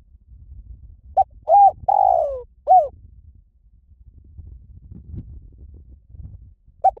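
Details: Spotted dove giving a cooing phrase of a short note, arched coo, long falling coo and closing arched coo, then a quiet pause with low background rumble before the next phrase begins.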